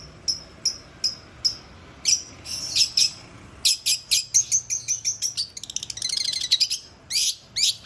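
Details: Long-tailed shrike singing: a series of short, sharp, high chipping notes in spaced pairs, then denser harsh chattering and rapid buzzy trills, with scratchy bursts near the end.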